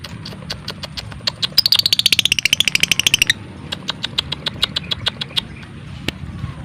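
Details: Lovebird in the ngekek style, a close-packed chatter used as a lure to make lovebirds sing and mate: a fast train of sharp ticking notes, a louder burst sliding downward in pitch, then steadier ticks continuing.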